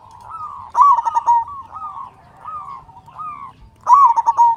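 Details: Local zebra dove that sings often in a big voice, used as a master bird to rouse other doves. Loud phrases near the start and end each begin with a rising note and then a burst of rapid pulses, with gentle rolling coos between them.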